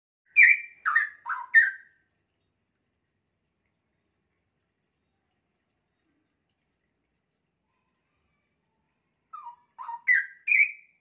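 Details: Young caged straw-headed bulbul, about a year old, with a varied song: two short bursts of three or four rich, liquid whistled notes, rising and falling, about eight seconds apart with silence between.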